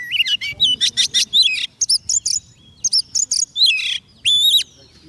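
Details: White-rumped shama singing to attract wild birds: fast sequence of buzzy trilled notes, wavering whistles and high chips, ending with a long sustained whistled note, low hum behind.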